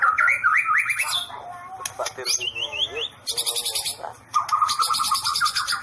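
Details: White-rumped shama delivering a loud, fast-changing song: rising whistled notes, sharp high chips and buzzy bursts, phrases switching roughly every second with brief quieter gaps.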